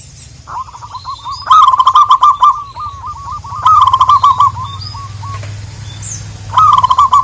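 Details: Local zebra doves calling a rival; repeated loud rolling bursts of quick, bubbling coos separated by softer runs, with faint high chirps and a steady low hum behind.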